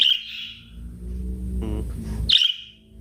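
Budgerigar gives two bright, high chirps, one at the start and one near the end, with a man's voice talking in between.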